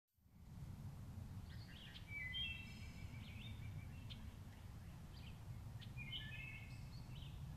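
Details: A wood thrush sings at Lake Needwood on 6 May 2014: two clear, flute-like phrases, each ending in a thin, airy trill, over a steady low rumble of wind or distant traffic.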